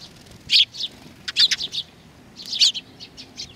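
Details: Sparrows coming to be fed at a Tenmangu shrine in Nakanoshima, Japan, on 21 June 2020, giving short high chirps in three loose bursts, each a quick cluster of bright tweets separated by quiet gaps.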